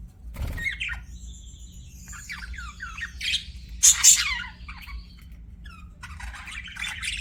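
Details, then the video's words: Scattered budgie calls: a thin, high whistled note, short descending chirps and a couple of loud harsh squawks, with a low thump near the start. "BUDGIE CHIRPING SOUNDS"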